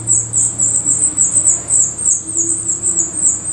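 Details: Black Redstart at its nest in Portugal: thin, very high, hissing notes running almost without a break in quick pulses, about three a second, over a faint low hum.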